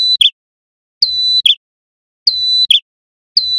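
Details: Male Sunda warbler singing loud and full: a high, thin whistled note followed by a quick buzzy flourish, repeated roughly every 1.2 seconds.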